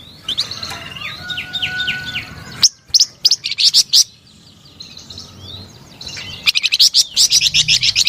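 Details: Vigorous flamboyan bird song opens with a series of repeated slurred whistles over a held tone. Bursts of sharp high chips and soft twitters follow, ending in a fast, loud string of staccato notes.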